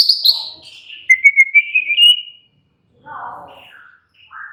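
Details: White-rumped shama giving a long descending whistle that levels into a rapid trill, followed after a pause by softer, lower warbled notes.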